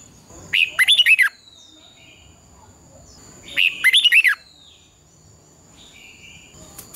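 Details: Red-whiskered bulbul in competitive song, used as a lure for training birds to sing at dawn: two rich, rapid warbling phrases about three seconds apart, each a quick run of looping whistled notes, with a faint steady high whine behind.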